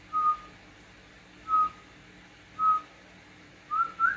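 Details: Pet cockatiel exchanging whistles with its owner indoors: short level clear whistles repeated about once a second, ending with a rising, then upturned wavering whistle, over a quiet room hum.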